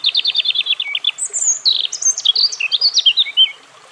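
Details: Rapid trilled notes from a European robin, followed by high thin whistles and a lively, irregular warble that fades out after about three and a half seconds.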